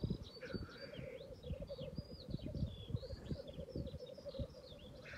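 Black grouse give a steady, low bubbling coo that rolls on without pause, with high, thin chirps from other small birds above and low rumbling wind.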